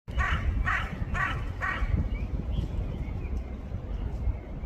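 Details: Crow calling with four harsh, hoarse caws in quick succession, about half a second apart, then falling quiet; a steady low rumble of background noise runs throughout.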